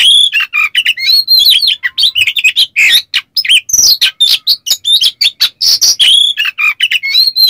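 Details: Caged Oriental magpie-robin (kacer) pouring out coarse, excited song meant to provoke other birds: fast string of varied whistles, buzzy rattles and scratchy notes with hardly a break.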